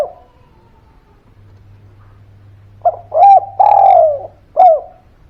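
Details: Spotted dove calling, used as a lure for birds reluctant to sing: after a quiet start with a faint trailing note, a quick phrase of short coo, long downslurred coo and clipped final coo over a soft hum.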